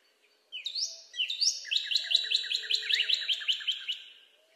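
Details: A Northern Cardinal (Cardinalis cardinalis) gives a quick run of bright, downslurred whistles, about a dozen in four seconds, with a second overlapping series of similar notes.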